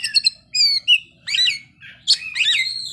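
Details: Kacer (magpie robin) singing in captivity: short repeated chirps, then clear whistled slurs and buzzy, scratchy notes, each phrase different, with brief pauses, over a faint low hum.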